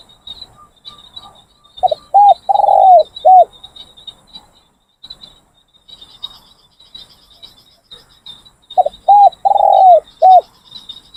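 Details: Captive training decoy spotted doves cooing during a training session, two phrases of four deep rounded coos, a long middle note among short ones, with steady high insect buzzing throughout.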